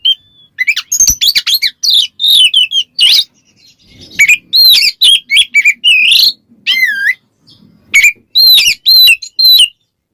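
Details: Ngeplong song of an Oriental magpie-robin calling out a rival: dense, sharp whistles and wavering slurred notes pouring out almost continuously, with brief gaps and a faint low background murmur.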